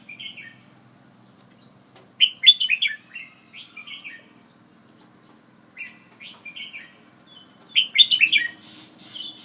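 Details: Red-whiskered bulbul from Ubon, Thailand, repeating fast cheerful warbled phrases of several notes, with quieter single notes between bursts and a faint insect-like hum.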